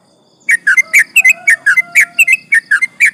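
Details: Sooty-headed bulbul in full energetic song used as a lure to provoke rivals: a fast run of clear whistled notes, rising and falling and tightly packed in a long continuous string, with faint low background hum.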